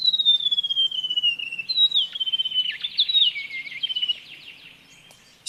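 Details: White-throated Gerygone, nominate subspecies, from dry woodland canopy: a sweet, high, slowly descending whistled cascade that wavers and trills as it falls, lasting about four seconds.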